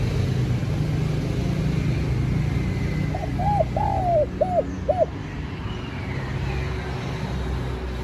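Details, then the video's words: Spotted dove cooing to attract wild doves and spur a caged dove: after several seconds of low rumbling noise, a brief run of about five soft hooked coos, one drawn out, then only background hum again. "TIẾNG CHIM CU GÁY Giọng Hấp Dẫn ( GỌI BỔI + THÚC )"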